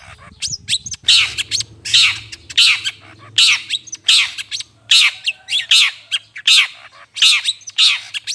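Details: Long-tailed shrike, played to lure birds: a long, fairly regular series of rough, scratchy squawks about every half second, with a faint low hum underneath.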